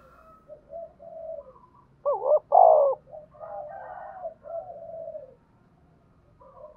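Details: Spotted dove lure bird used with birdlime to attract wild doves, calling one loud wavering double coo amid softer drawn-out coos over a low humming background.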